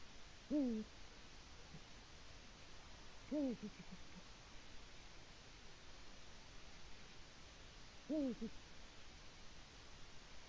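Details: Male Eurasian eagle-owl at its nest in Latvia, recorded by a live nest camera around 6:22 am on 5 March 2018, calling for its mate: three deep, falling two-part hoots spaced several seconds apart over a quiet hiss.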